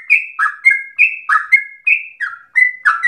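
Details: Trucukan, the yellow-vented bulbul, singing steadily in a long 'ropel' run likened to straw-headed bulbul song: clear level whistles alternate with throaty falling notes about three times a second.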